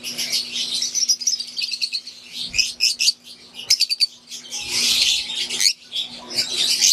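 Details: Aviary flock of wild-type green and Euwing Fischer's lovebirds chirping: dense, shrill, high twittering in overlapping bursts, with a loud chattering swell near the middle, over a steady low electrical hum.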